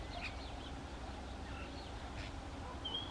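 Common starling with a loose jumble of thin squeaky whistles and rasping notes, ending in a clear high whistle, over a steady low rumble.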